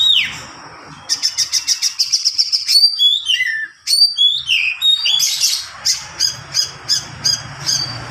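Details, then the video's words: Oriental magpie-robin (kacer) tutor song in long continuous style: a run of rapidly repeated sharp notes, then sliding whistled phrases, ending in a steady series of short chips about three per second, over a low hum. "KACER NGEROL PANJANG UNTUK MASTERAN"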